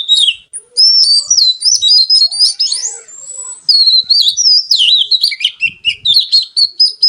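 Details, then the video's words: Kacer, the oriental magpie-robin, kept for song, pouring out a continuous rich warbling of fluid whistles and trills, with faint low knocks in the background. "Suara Kicau Kacer Gacor Merdu"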